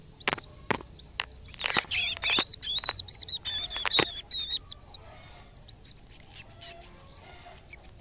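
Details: Caged canary reacting on first seeing a camera: clear whistled notes, some bending upward, mixed with short bursts of fast chattering trills, with a brief pause before softer whistles resume.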